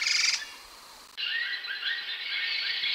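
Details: Grey-headed laughingthrush, also called ground laughingthrush, singing: a short high burst, a pause, then a run of quick rising whistled notes over a steady bright hiss.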